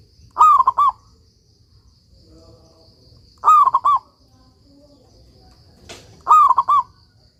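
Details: A local zebra dove in full song, used as a master recording for training stalled doves, repeating a cooing phrase three times about every three seconds: a sliding coo, rapid clipped coos, then a held note, over a faint steady background.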